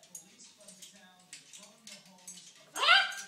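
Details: Pet macaw talking to get attention because it is hungry; a quiet stretch of low human voices, then one loud, harsh, falling harmonic squawk-like utterance near the end.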